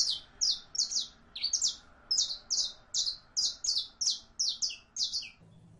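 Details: Saffron finch (Sicalis flaveola) singing a steady run of high, sharp chirped notes, often in quick pairs, about two or three each second, against a quiet indoor background.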